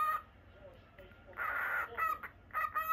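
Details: Home-kept normal lutino cockatiel: faint calling at first, then a broad, harsh note around the middle followed by several clipped bright chirps.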